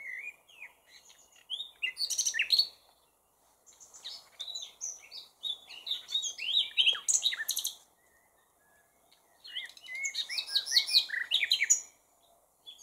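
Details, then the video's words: Three separate song bouts from a common nightingale, each a varied rush of high chirps, slurs and clicks, separated by brief silences. "Chant du ROSSIGNOL PHILOMELE"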